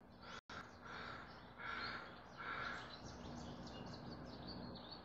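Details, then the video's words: A crow gives a few harsh "kraa" calls, each about half a second long, spaced roughly a second apart against steady outdoor background noise. "Crow 20220303 123254 CU Kraa voc"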